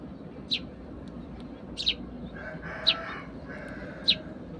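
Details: Morning sparrows at a home, whistling to each other while feeding: four bright, high chirps spaced about a second apart, with a lower, drawn-out fowl-like call faint in the background.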